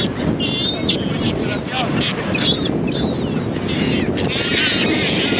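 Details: Gulls calling over a loud, steady rushing background of wind or water: several short, harsh, harmonic calls come in bursts, some drawn out and wavering, spread through the whole stretch.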